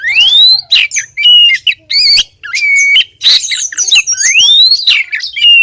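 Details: Oriental magpie-robin female calling the male, long rising whistles and level piping notes alternating with harsh chattering bursts, loud and close-up.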